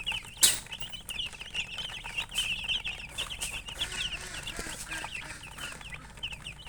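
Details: A dense run of fast, high chicken chirps near a colored hen, opening with a loud sharp knock, then a steady string of short peeps.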